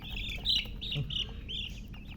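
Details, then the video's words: Freshly hatched chicken chicks: longer, fuller, slightly wavering high cheeps, about five in two seconds, close and loud, with faint low murmuring beneath. "Tot Murgi chicks chirping sounds Just Born Baby Gallina FRACAS Chicks Piar Loudly Sound"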